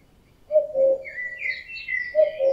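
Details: Summer cuckooing of a male common cuckoo in the mating season: a clear falling two-note cu-coo, then the start of another, over thin whistled phrases from other songbirds.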